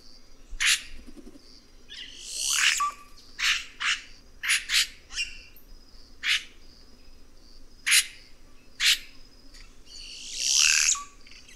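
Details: Red-rumped cacique singing a long sequence of sharp clicking chacks and two harsh squawking bursts, each followed by a brief flat whistle, against steady low background hum.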